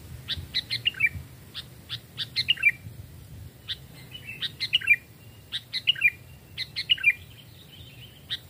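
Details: Captive Sooty-headed bulbuls, decoy birds aged two and three years and raised from chicks, tested in a forest. Short bright chirping phrases with quick descending slurred notes, in bursts roughly every second, over a low background rumble.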